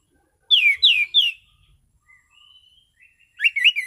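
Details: Orange-sided thrush giving its calm, clear 'ngeplong' song: three loud falling whistles in quick succession, soft thin notes in between, then a fast jumble of rising and falling whistled notes.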